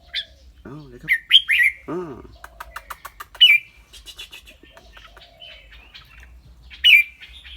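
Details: Caged red-whiskered bulbul with a clear voice gives scattered bright, slurred whistled notes. Low rising-falling harmonic sounds near the start and a run of rapid clicks in the middle break up the phrases.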